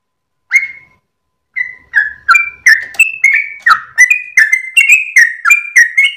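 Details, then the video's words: Sooty-headed bulbul wagging its tail while singing a lengthy 'ropel' song at dawn, for teaching caged birds; a single whistle, a second's silence, then a steady rapid series of clear slurred notes stepping up in pitch. "GOYANG EKOR trucukan gacor ropel panjang saat subuh pagi hari"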